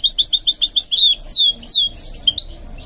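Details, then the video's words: Goldfinch mule song during training: a run of quick repeated high chirps, then long sweeping descending whistles and twittering notes, bright and fast. "Training My GOLDFINCH Mule to Sing"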